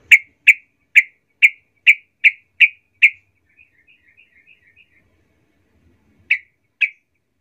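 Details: Sooty-headed bulbul lure call meant to provoke other bulbuls into agitated calling: eight sharp, evenly spaced chipping notes over about three seconds, a faint twittering pause, then two more sharp notes.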